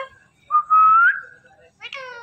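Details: Talking Indian ringneck parrot, a pet, gives a clear rising whistle of about half a second, then after a pause starts a harmonic, meow-like imitation.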